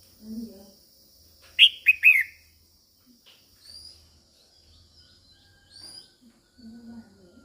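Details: Female red-whiskered bulbul calling to stimulate males, a quick loud triplet of falling notes, with a lower buzzy sound at the start and end and faint high whistles between.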